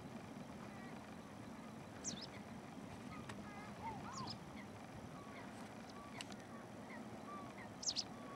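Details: White wagtail at IJmuiden, Netherlands, on March 20, 2011, giving three brief, high, sharp two-note chirps spaced a few seconds apart over a steady low rumble, with faint lower notes from other birds.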